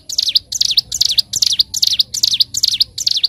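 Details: Bar-winged prinia, a master recording for training cage birds, singing actively in the nembak and ngebren styles: high, sharp, down-up swept notes repeated in quick bursts, about eight phrases in three seconds, with a clean, quiet background.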